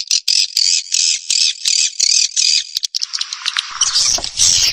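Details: Lure recording of swiftlets, calling and roosting sounds used by Indonesian swiftlet farmers to attract birds: a run of short, harsh buzzy chirps, about three per second, then a hissing, rougher chatter with faint low rumble in the final seconds.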